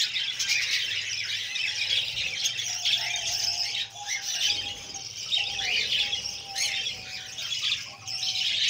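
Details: Budgerigar chicks, fed by the female, give loud scratchy squawks in bursts with short quieter gaps. Thin steady tones run faintly behind.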